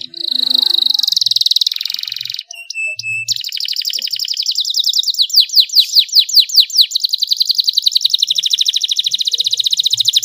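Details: Vigorous canary delivering a long rolling song with elaborate phrasing and clear tone, played to encourage lazy canaries; a buzzy high trill breaks off briefly, then resumes as rapid sweeping notes and a sustained fast rattle.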